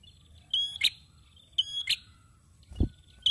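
A male prinia gives three loud, bright phrases, each a steady high whistled note ending in a sharp, buzzy burst, about a second apart. A dull thump sounds between them.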